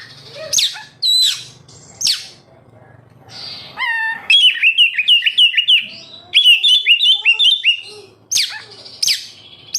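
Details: Oriental magpie-robin singing to stimulate captive birds: sharp downslurred whistles, a clear rising note, then rapid series of repeated chirping phrases, with faint low hum underneath.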